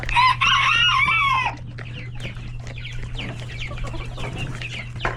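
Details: Chickens, roosters and chicks at hectic lunch time in a coop: a loud rooster crow opens for about a second and a half, then a busy chorus of chick peeps and clucks over a low hum.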